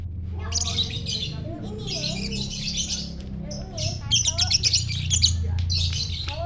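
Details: Lovebird singing gacor in the morning sun, Parahyangan Village, Jatihandap, Bandung; a champion bird. Grating, high squeaky chatter comes in bursts about four times a second, growing louder near the end over a constant low drone.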